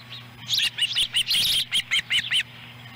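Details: During feeding at an osprey nest in Lolo, Montana, July 18, 2017, a chick takes a small fish whole. Around a dozen clipped, high chirps come in quick succession, then fade into quiet hum.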